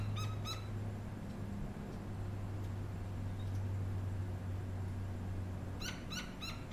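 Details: Gila woodpeckers, a youngster and an adult, on a back fence in Tucson, Arizona: short bursts of sharp, nasal notes, about four quick notes at the start and again at the end, over a steady low rumble.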